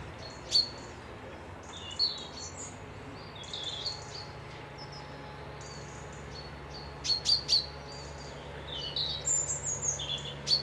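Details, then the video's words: Birds near a loch at Piperdam, Dundee, on a peaceful midweek break: high, sharp chirps and short whistled notes in scattered bursts, several quick clusters toward the end, over a faint steady background hum. "Birds whistling"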